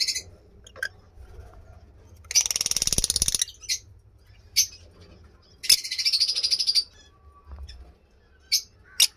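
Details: Blue masked lovebirds in a cage, heard as short harsh high chattering bursts, the longest two a buzzy second each around three and six seconds, with scattered sharp single chips between and a low hum beneath.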